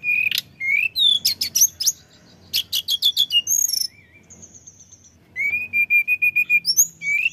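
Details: Male orange-headed thrush singing steadily as a lure: rapid rattling note series, a level whistled phrase, then a run of about eight evenly repeated clear whistles, mixed with sharp high slurs and chirps.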